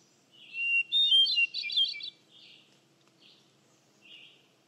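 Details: Hermit thrush: one bright phrase of a steady whistled note tumbling into quick ringing flute-like notes, followed by two faint, softer echoing phrases over a low background hum.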